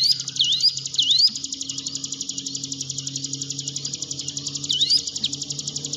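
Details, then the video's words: Hill prinia song used to stimulate a silent cage bird: a continuous rapid buzzy trill dominates, with a few sweeping whistled notes near the start and end, over a low background hum. "ciblek gunung diam saja kurang loss mental ciut latih dengan pancingan ini"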